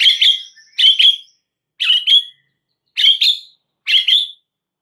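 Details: White-rumped shama lure recording meant to prompt other shamas to answer: short, harsh doubled chirps, each pair repeated about once a second with brief silent gaps between.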